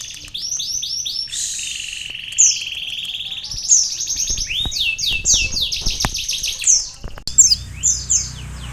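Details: Energetic singing of a sunbird filled with canary phrases: long chains of high, rolling trills and warbles, punctuated by sharp downslurred notes, with a faint low background hum.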